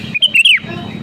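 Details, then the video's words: Single phrase from a sooty-headed bulbul, sung to provoke rivals: three quick clear whistles, the last longer and sliding downward, over a soft low hum. "SUARA ASLI BURUNG KUTILANG GACOR PALING AMPUH MENEKAN LAWAN UNTUK BUNYI GACOR SEKETIKA"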